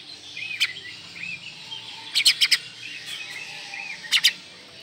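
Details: Oriental magpie-robin (kacer) in a masteran tutor recording: faint whistled phrases in the background, broken by loud, harsh, clicking chip notes, one single burst and then clusters of three and two.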